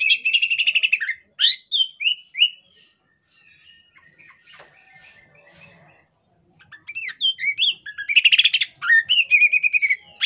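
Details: Kacer poci female Oriental magpie-robin in breeding condition, tail open, said to prompt males to answer. Bursts of harsh, buzzy rapid chatter and swooping whistles, separated by a quiet gap with faint scratching.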